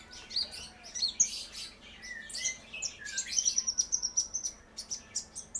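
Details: Young brown-throated sunbird practising its song: varied high squeaky notes and short slurred chirps, followed by a fast, even series of bright high ticks, then a few scattered chirps.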